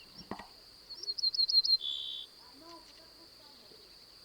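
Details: An Ortolan Bunting recorded in 2010 in the Cévennes with a parabolic reflector sings five quick, ringing high notes, then a lower drawn-out closing note; a steady high whine runs throughout, with a handling click at the start.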